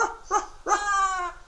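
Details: Pet Amazon parrot indoors, asked what a doggy says, answering with a whiny imitation: two short yelping notes, then a longer, drawn-out harmonic whimper; a person's voice nearby.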